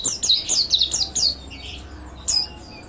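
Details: Brief mountain white-eye master song for training: a quick string of high, clear chirped notes, a short silence, then one more sharp chirp.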